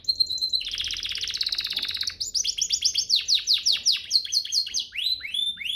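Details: Training master of canary song: a clear held whistle, a dense fast rattling trill lasting over a second, then a long run of quick repeated downslurred notes, about three per second, and rising flourishes.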